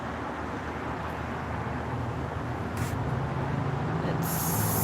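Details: Outdoor traffic hum with passing vehicles and brief hissing bursts, with no animal calls.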